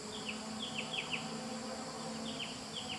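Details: A silver-breasted broadbill, not in breeding mood, gives thin, high, downslurred squeaky notes, often in quick pairs, at Genting Highlands, Pahang, on Sunday 10 April 2011; the background hum is passing cars.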